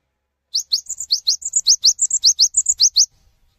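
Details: Cinereous tit singing vigorously, calling other tits to join in; a fast run of about fifteen high, sharp notes over two and a half seconds, steep rising strokes alternating with short level whistles, nearly silent background.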